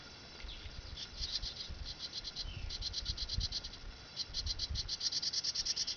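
A house wren gives bursts of rapid, high, dry chip notes, several per second, over a low rumble of wind.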